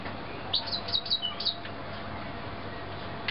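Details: Young canaries, fledglings of 2009, giving a quick run of thin, high chirps with short upward-sliding notes in the first half, then quiet with a steady low background hum and one last faint chirp at the end.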